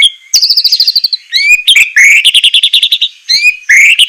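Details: Captive-bird training song of a white-rumped shama in the sharp, rough 'semelet' style: fast stuttering note series, a descending rattled phrase, then rising whistled slurs and dense chirp trains, loud throughout.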